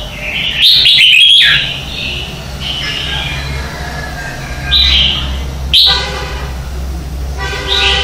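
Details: Morning competition singing of a red-whiskered bulbul for bird training: loud clustered warbles at the start, quieter phrases mid-way, then a sharp note and a harmonic, nasal-sounding call near the end.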